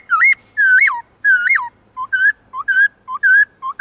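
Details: Many-voiced forest-style song of a kept black-throated laughingthrush, used to stimulate wild-caught birds: loud whistled phrases alternating longer swooping notes with short paired whistles, roughly two per second, crisp and clean.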